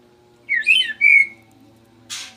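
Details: Caged male white-rumped shama singing actively after a sauna session: two short whistled phrases, the first rising and warbled, the second a clear sustained note, followed by a brief noisy rustle.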